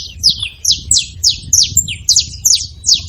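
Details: Canário-da-terra, or saffron finch, giving a brisk series of sharp high chirps, roughly three per second, each sweeping downward with a short tail.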